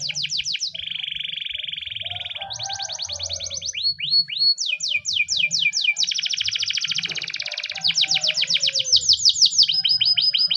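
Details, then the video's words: Spanish Timbrado canary singing a morning training song: fast rolling trills and rattles changing pitch and speed, repeated descending notes and buzzy phrases, with a faint low hum beneath. "The best canary training song in the morning! spanish timbrado canary singing"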